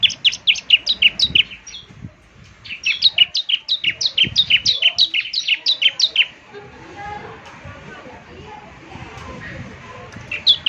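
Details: Ciblek semi in lively 'gacor' form, meant for morning playback so other birds answer: two long rattling runs of rapid high downslurred chirps, roughly three per second, then quieter background with a last chirp.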